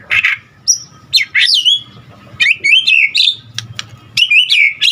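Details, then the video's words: Male white-rumped shama in full varied song: whistled rising and falling phrases, sharp clicks and chattering notes in irregular bursts, with a faint low hum in the background. "Murai Batu GACOR Full Isian Ampuh Buat Pancingan Murai Batu Agar Cepat Bunyi"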